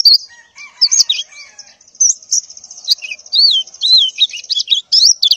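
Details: Female white-eye in breeding condition calling for males in the morning: high thin wavering notes and looping, rising-and-falling slurred chirps, with some lower whistled elements mixed in.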